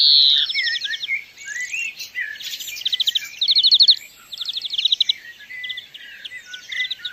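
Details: European greenfinch singing in the wild: an opening wheeze followed by a series of fast twittering trills and rattling phrases, varied in pitch, strong and clear with a silent background.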